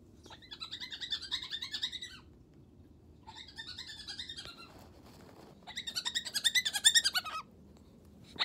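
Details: Bedtime chatter from a pet Moluccan cockatoo, delivered as three separate runs of fast, harsh, pulsing notes. The final run is the loudest and climbs in intensity before stopping. Short silences fall between the runs.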